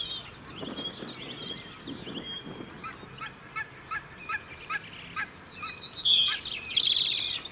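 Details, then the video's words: A European robin in the UK sings high, thin, wistful phrases with rapid trills and bright squeaky notes, each phrase shifting in pitch, over a faint low rumble early on. "Beautiful song of Robins"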